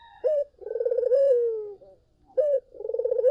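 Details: Collared dove lure song: a sharp brief coo leads into a long trembling roll of low coos that tapers into a smooth descending note, then the pattern starts again with another clipped coo.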